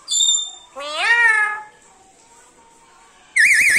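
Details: Sweet-voiced pet black-capped lory utters one long nasal, speech-like phrase after a short high note, then a quick trilling, warbled burst at the end.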